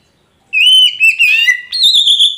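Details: Kacer poci magpie-robin song played as a lure to start a bird that has stopped singing: a bright sustained whistle that slides downward, then a higher whistled note after a brief break.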